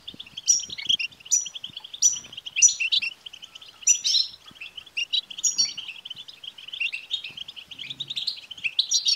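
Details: European goldfinch singing a rapid, jingling song of liquid twitters, with sharp high notes repeated roughly every second at first and then a denser run of chatter; played to spur a male goldfinch to sing.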